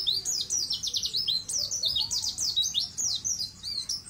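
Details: White-eye (pleci) singing without pause, for training untrained birds to sing long: dense, high-pitched, rapid twittering of slurred notes, pulsing about five times a second throughout.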